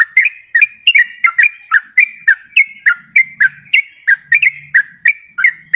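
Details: Yellow-vented bulbul singing, recorded as a lure and a prompt for reluctant singers: a continuous stream of quick liquid bubbly notes in short repeated phrases, faint low hum beneath.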